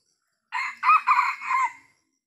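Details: During traditional trapping of wild Sumatran red junglefowl, a single crow: about four hoarse, clipped syllables over roughly one second, slightly lower and softer than a full crow, ending with a short fading tail.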